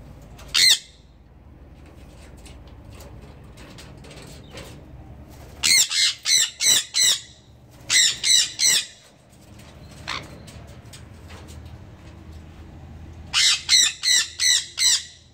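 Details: Breeding pair of sun conures giving loud, harsh, screeching squawks in quick bursts of four or five, with a single squawk near the start and quiet stretches between bursts.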